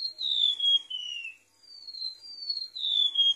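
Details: A golden-bellied gerygone, recorded as a master lure sound for bird trapping, sings thin, high whistled notes sliding slowly downward: three or four drawn-out phrases with a short pause midway.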